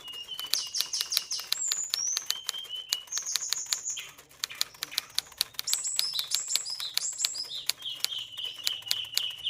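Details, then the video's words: Oriental magpie-robin in high breeding condition: bright, high whistled notes and rapid repeated trills in varied phrases, mixed with loud sharp clicks and wing flutters throughout. "CIRI-CIRI KACER SEDANG BIRAHI TINGGI"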